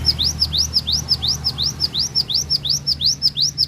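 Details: Cinereous tit singing its full repertoire at Takengon, Central Aceh, Indonesia: loud, rapid, regular upslurred whistles, close to three per second, each note ending in a brief sharp downturn, with low background drone.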